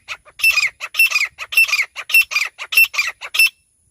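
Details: Francolin (teetar) calling in bush country, with a female's voice and a hunting setting given. About a dozen harsh, grating squawks come in a fast, uneven series over three and a half seconds, followed by silence.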